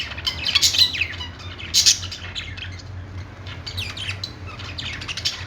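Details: Budgies in a pet store, on a perch: loud squawky chirps at the start, then softer scattered twitters from several birds, all over a steady low hum.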